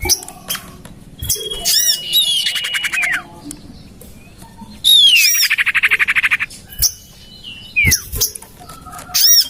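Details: Bird-trapping lure of common iora, tested in a home garden: rapid harmonic rattles, then long flat whistles that curve steeply downward, with a loud buzzy trill near the middle and sparse chip notes.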